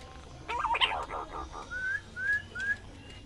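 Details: Pink-necked green pigeon giving three clear, rising whistles about half a second apart, after an opening burst of rougher, louder notes.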